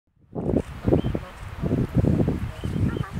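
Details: Atlantic puffin on Skomer Island, Wales, giving low, groaning growls in a run of pulsed bursts about every half second, with faint thin calls of other seabirds behind.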